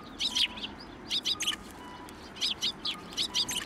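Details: At a Tenmangu shrine on New Year's Day 2024, sparrows perching on a hand for food utter quick paired and tripled chirps in small bunches, with a faint level tone in the background.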